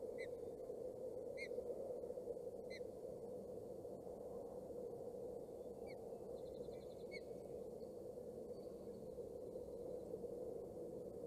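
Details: Osprey at a nest camera in Boulder County, during the second feeding on 27 May 2018: three sharp, whistled chirps about a second apart open the recording, followed by fainter, thinner chirps, all over a steady low rumble.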